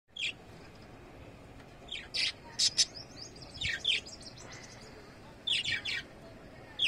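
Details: Budgerigars in a small outdoor colony chirp in short, high, scratchy bursts, overlapping in a lively flock chatter.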